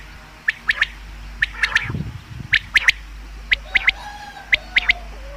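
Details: Common quail, a call shared for hunting: crisp three-note phrases repeat roughly every second, each note short and sharp. A soft low thud appears near the middle.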